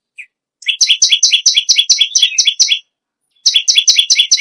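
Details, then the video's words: Bar-winged prinia sings energetically: a single short high note, then a rapid run of sharp doubled chirps, a pause of half a second, and another quick burst. "BURUNG PERENJAK BAWAH/LUMUT GACOR NGAMUK PARAH"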